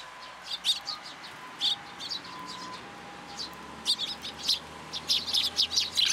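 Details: Young sparrow arriving at a plum tree at a Tenmangu shrine to be fed, 15 June 2022. Short, high chirps come in irregular clusters, sparse at first and quickening into a rapid string at the close.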